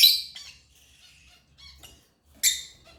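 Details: African lovebird chirping: a loud harsh burst at the start, scattered faint chirps, then another sharp squawking chirp near the end, all high-pitched with quiet gaps between.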